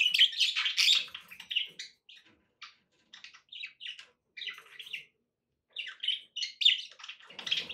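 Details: Pet budgies keep up a lively run of bright chirps and rolling warbles, easing into softer scattered notes midway before loud chatter resumes.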